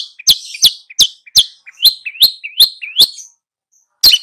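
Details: Long-tailed shrike singing energetically while tutoring two young birds: a run of eight sharp, high chirps, each swooping down then up, spaced about a third of a second apart, then a pause and one more harsh note.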